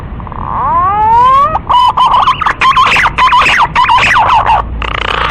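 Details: Punai, a green pigeon, opening with a smooth upward-sliding whistle that leads into a fast, bubbling series of modulated whistled notes, ending in a brief hiss.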